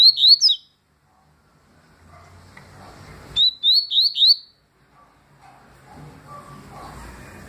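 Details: Tui song of a double-collared seedeater from 2020: a tight cluster of bright rising whistles, a long silence, then a second phrase of four quick upslurred notes, followed by quiet background rustling.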